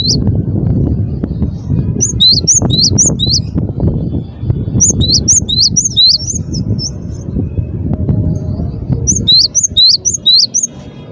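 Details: Cinereous tit (gelatik batu) singing vigorously: three short bursts of high, quick two-note phrases repeated rapidly, with steady low rumbling background noise.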